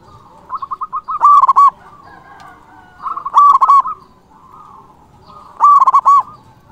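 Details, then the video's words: Local zebra dove, a strong singer with a big voice used to call rivals, gives three cooing phrases, each opened by a short run of quick notes. Each then bursts into a loud, rich, bubbling coo, roughly every two and a half seconds. "Perkutut lokal gacor Suara BESAR ampuh memanggil lawan BUNYI EMOSI manggung"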